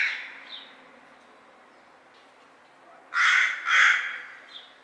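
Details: Crow's faint early call followed by two loud, rasping caws in quick succession near the end, against a quiet background.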